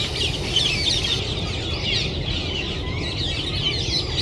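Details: Winter roosting flock of feral rose-ringed parakeets in urban Japan, around 1000 birds; a steady wall of harsh, high screeching calls from many birds at once over a constant low traffic-like hum.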